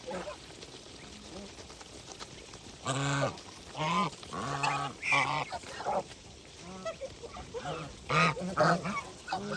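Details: Countryside geese eating give bold, harmonic honks in bursts after a quiet opening, several calls overlapping midway, with softer background noise between.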